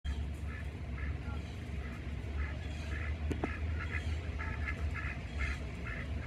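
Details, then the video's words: Pekin ducks foraging for bugs in bushes by a screened porch in Oviedo, Florida give short nasal quacks, often in clusters of two or three, over a steady low rumble of wind or distant traffic. "Pekin Ducks Look for Bugs in Bushes & Quack"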